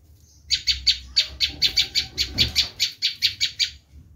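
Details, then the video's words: A bar-winged prinia, recorded to lure wild prinias, delivers a screaming call: some fifteen harsh, buzzy notes in fast, even succession, then silence. "Suara asli prenjak lumut menjerit"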